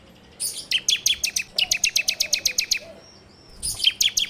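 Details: Bar-winged prinia (ciblek) song recorded on Android as a lure for training songbirds: a steady series of high, clipped two-part chirps, about five per second, then a pause and another quick burst.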